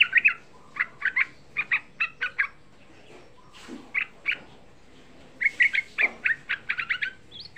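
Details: Young sooty-headed bulbul chattering, a lure to provoke other bulbuls: short bursts of quick, bright, clipped notes separated by brief pauses, with a few softer scattered notes between the bursts.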